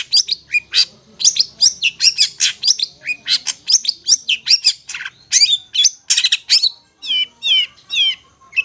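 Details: Master song of a Long-tailed shrike for teaching hand-fed youngsters: a rapid stream of scratchy, chattering high notes, then several clear downslurred whistles near the end.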